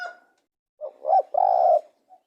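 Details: Spotted dove giving a single phrase, a soft short coo, a rising coo, then a long even coo, with a faint note afterwards.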